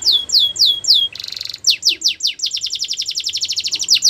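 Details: Canary training song: looping descending whistles, a short buzzy burst, then sharp notes accelerating into a long, very fast high trill.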